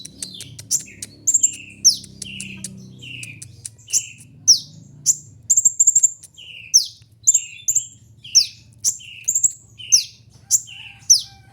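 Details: Kolibri ninja sunbird song for luring birds: a steady rhythm of high chips and falling buzzy notes roughly every half second, with a short rapid chip series partway through.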